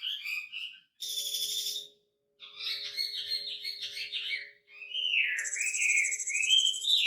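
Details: Wambi with a rare, richly varied song, recorded as a master for training songbirds. High buzzy bursts and chattery trills are broken by short silences, ending in a long wavering whistle beneath a thin high hiss, with a faint steady hum.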